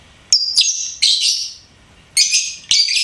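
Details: Lovebird kept as a pet, singing and chirping in loud, harsh, high chirps, two grouped bursts then a pause and two more, each a short buzzy screech.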